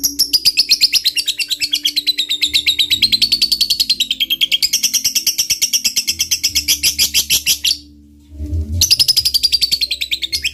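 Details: Long ngekek from a chatty lovebird fighter, a lure to provoke a rival: a sustained, very rapid shrill chatter with a slowly wavering pitch, broken once by a short pause before it starts again.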